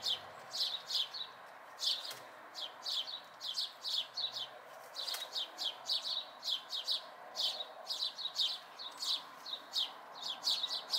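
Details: Fledgling house sparrows in May 2020 keep up a busy chorus of short, bright chirps, often in twos and threes, nearly continuous for about eleven seconds, with a couple of soft clicks.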